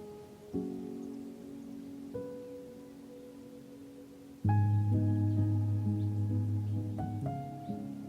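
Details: Soft piano music with sustained chords and a louder swell of low notes midway, with no animal voices.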